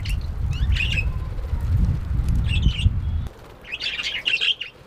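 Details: Happy budgerigar chirping: short bursts of bright, scratchy twittering notes, the last burst fuller and more varied, with a low rumbling background noise during the first part.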